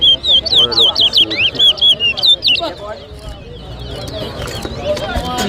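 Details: Caged towa towa at a bird whistling competition in Lusignan, Guyana, sings a quick run of clear, looping whistled notes, about ten in under three seconds. The phrase then stops, leaving a noisy crowd murmur and scattered distant chirps.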